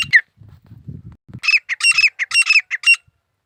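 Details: A grey francolin makes one squawk, then low muffled thuds, then a fast string of shrill, harsh repeated notes for about one and a half seconds.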